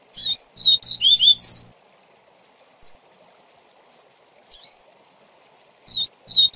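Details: Double-collared seedeater singing the viviti song style: a quick phrase of sharp, clear whistled notes, some sliding upward and some falling, followed by a few isolated short chirps before the phrase starts again.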